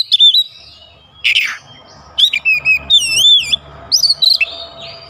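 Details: Oriental magpie-robin (kacer) song packed with isian fill-in phrases as other kacer join in; wavy whistles, a raspy burst, then rolling warbled whistles with high overtones and quick chips.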